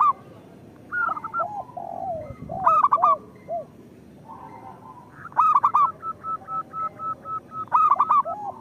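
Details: Local zebra doves singing, used as a lure to get quiet birds to sing: several overlapping callers give bursts of rapid, arched cooing notes with soft, lower trilled coos between bursts, recurring every few seconds.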